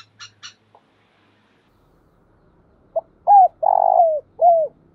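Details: Decoy call of a spotted dove. A few faint high chirps come first, then after a quiet gap one coo phrase: a sharp pip, a bowed coo, a long buzzy rolling note and a falling last coo.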